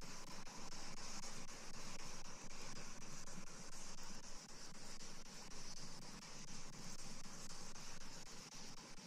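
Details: Constant broadband hiss and traffic-like rumble continue, with no animal sounds.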